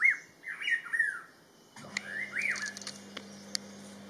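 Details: On a birding trip at Inthanon, a rufous-throated partridge gives clear, slurred whistles that rise and fall, three in quick succession, then another after a pause, over a steady low hum and faint clicks.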